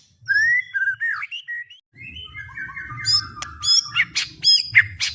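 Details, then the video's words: White-rumped shama singing with a fighter's spirit: soft whistled warbling phrases first, then harsher buzzy and chattering notes building in loudness. "ISIAN MURAI BATU GANAS❗TEMBAKAN MURAI BATU BUKA PARUH VOLUME PENUH POWER💥 SHAMA BIRD"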